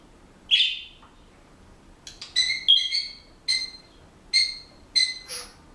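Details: Male Senegal parrot kept as a pet, whistling a few bars of a song he is learning. One rough squawk opens, then a run of clear two-toned whistled notes repeated about every second, ending in a buzzy note.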